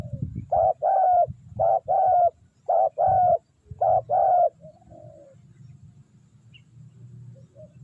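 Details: Spotted dove calling to lure wild doves, a series of paired soft coos, a short note then a longer one, repeated several times before falling quiet, with a low background hum.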